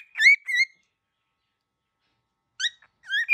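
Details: Very angry baby cockatiel gives two short whistled, buzzy notes, goes quiet for about two seconds, then adds two more rough whistles.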